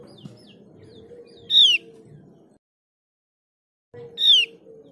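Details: Mees's white-eye, endemic to Java and Bali, in a lure recording meant to prompt captive birds to sing: two brief, bright, high whistles sliding downward about three seconds apart, over a low steady hum and a short silent gap.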